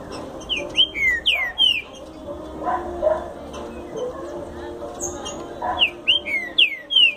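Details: Green-winged saltator, a future champion, singing a fast explosão-style song: loud whistled notes sliding downward, in phrases at the start and again near the end, over a low background murmur.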